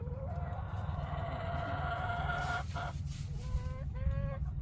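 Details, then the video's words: Chickens producing strange, drawn-out tonal calls: long, slightly wavering notes, then two short rising whine-like calls at the end, set against a steady low-pitched background hum. "닭들이 이상한 소리를 낸다면~~~??"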